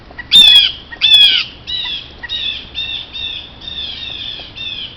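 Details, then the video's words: Pileated Woodpecker at a backyard creek, working on a downed tree and caught by trail camera, gives loud, ringing, nasal notes, two strong ones then softer repeated calls about every half second; a cardinal was nearby. "Pileated Woodpecker call with drumming"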